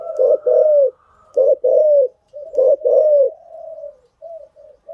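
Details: Spotted dove cooing, used to train newly caught birds: low paired coos, a short note followed by a longer falling one, ending in softer trailing notes.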